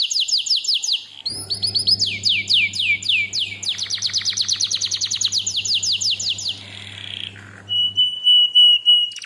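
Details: Canary in full song, played as a lure and master tutor recording: quick trills, then long runs of downward-swept notes at a steady pace, ending in a flat, held whistle; faint low hum beneath.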